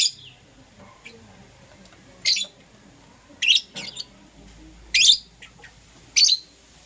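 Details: Lovebirds of Euwing Green Opaline and Lutino colour varieties chirping in the morning: sharp, shrill, broadband chirps in short bursts, about five spaced irregularly one to two seconds apart, with quiet gaps between.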